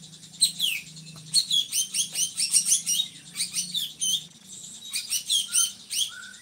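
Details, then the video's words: Drongo kept as a song tutor: quick chattering bursts of high chirps and downslurred whistles, then a pause, more chatter, and two plain lower whistles near the end. "SRIGUNTING GACORRR"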